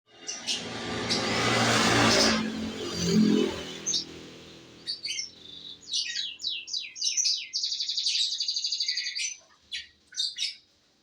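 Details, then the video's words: F2 canary singing; after about five seconds of loud broadband rumble like passing traffic, bursts of rapid high trills and short repeated chirps follow, then a sustained buzzy trill and a few final notes. "maen burung kenari F2sf"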